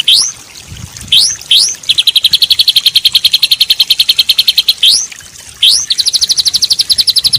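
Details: White-rumped shama in a full-length songbird training recording with rich fill phrases: quick upward-sweeping whistles, then a long, fast, evenly pulsed high trill, followed by more rising sweeps and a second rapid trill, over a quiet background.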